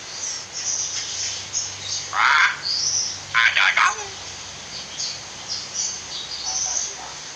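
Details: A common hill myna talking gives two short, harsh, speech-like bursts about a second apart over a steady high hiss of background noise.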